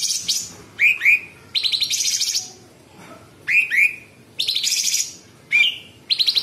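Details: Sooty-headed bulbul in varied 'tembakan' song, with rasping 'besetan' and close phrasing. Upslurred whistled notes, often paired, alternate with loud, grating, buzzy bursts about every second.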